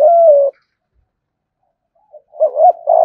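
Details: Cage-kept spotted dove cooing thúc gù style: a long steady coo fades out, a pause follows, then a fresh phrase of bouncing double hoots sliding into a sustained coo.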